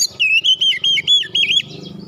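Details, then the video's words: Oriental magpie-robin in tight rolling basic song: a rapid string of about six loud, looping whistled notes over roughly one and a half seconds, trailing into soft low hum. "KICAUAN DASAR KACER NGEROLL RAPAT"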